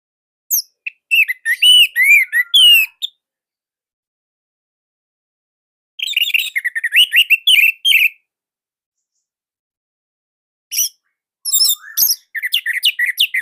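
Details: Orange-headed thrush in Indonesia sings nonstop, a loud, compact song offered as tutor material for other birds. Three bursts of fast, varied whistled and twittering notes come with pauses between, and a thin rising whistle before the last burst.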